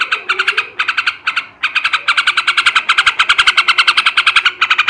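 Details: Male sooty-headed bulbul giving ngebrem ngekek song to stimulate breeding: a dense, grating series of quick repeated notes, building from short groups into a continuous rattling stream.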